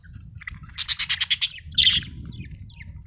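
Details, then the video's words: Budgie chirping: a quick run of about seven short, bright chirps near the middle, then a harsher scratchy chirp and a few faint notes, over a low steady hum. "budgie chirping sound"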